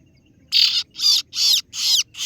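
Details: Kaso-kaso bird 'ciet ciet' lure call for rivals: five loud, rasping high notes in steady succession, each about a quarter second long.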